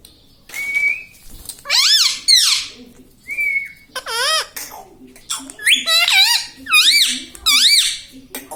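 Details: Parrot kept as a pet mimicking the words "mummy papa", giving a rapid run of harmonic, swooping syllables in several bursts, with a couple of thin whistled notes early on.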